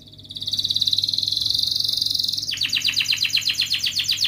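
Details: Canary training lure for lazy canaries: a sustained high buzzing trill changing into a quicker pulsed rolling trill.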